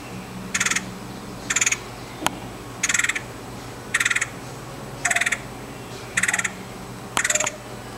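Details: A red-headed woodpecker in Virginia gives seven harsh, raspy churring calls, each brief and spaced about a second apart, over a faint low hum and one sharp click.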